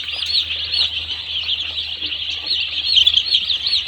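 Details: Many one-day-old chicks on a poultry farm, a dense continuous chorus of high, thin overlapping peeps with no single bird standing out.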